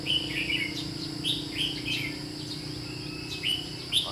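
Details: White-cheeked red-whiskered bulbul used as a decoy for trapping, 17 July 2016: a few separate whistled chirps and short slurred notes spaced about half a second apart, against a buzzing insect background and low hum.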